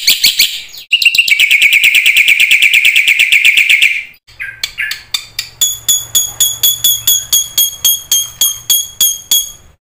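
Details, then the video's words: Black-winged myna in full song to prompt other birds to sing: a loud, harsh, buzzy trill, a few squeaky calls, then evenly spaced, high, ringing chip notes repeated about three per second. "suara burung jalak putih GACOR FULL ISIAN ampuh buat MASTERAN PANCINGAN jalak macet bunyi AGAR GACOR"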